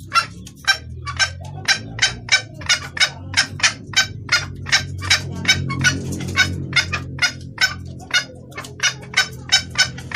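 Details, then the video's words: Female red junglefowl summoning a male, a lure recording: a long, steady series of sharp, gritty clucks nearly three per second, over a low rumbling background that swells briefly midway. "Suara ayam hutan betina gacor pangil pejantan"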